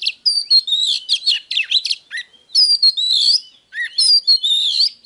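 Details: Oriental magpie-robin's 'déo' song for stimulating wild-caught birds to fight, full of smooth descending whistles interwoven with chattering, scratchy notes, delivered in three lively bursts separated by short gaps, with no background noise.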